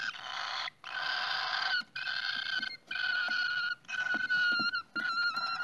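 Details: Cockatiels at the nest: long, harsh, raspy hissing calls, each lasting about a second, repeated in a steady series with short gaps, with a thin tonal edge running through them.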